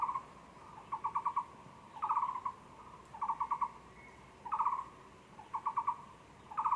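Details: Taiwan barbet heard at a zoo on 24 February 2020, giving repeated quick trills of low hollow notes, alternating longer and shorter phrases roughly every second over faint background hiss.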